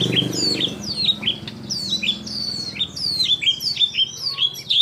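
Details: White-rumped shama song laced with imitations of kapas tembak, cililin, lovebird and canary; bright, descending whistled notes in uneven bursts over a low, steady hum.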